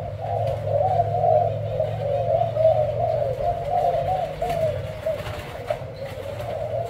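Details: Thai-type spotted dove, kept as a cage bird, with a white heart and black necklace, giving a deep booming coo: a continuous low rolling cooing phrase, repeated without a break, with faint room noise behind.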